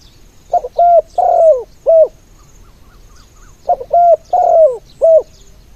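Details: Spotted dove used as a decoy bird to lure others, cooing in two mellow phrases of about four notes each, some three seconds apart, the middle note drawn out and falling, with a faint insect hiss behind.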